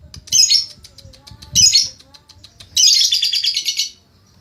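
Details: During training a lovebird gives a scratchy chatter and a second harsh burst, then a sustained fast trill of over a second, its pulses steady and even. Low murmuring sounds are in the background.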